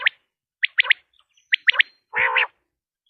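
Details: Common quail (batair), sound used to lure quail for hunting: sharp three-note phrases, one clipped note then a quick pair, repeated roughly every second, plus a low nasal, harmonic mewing call near the end.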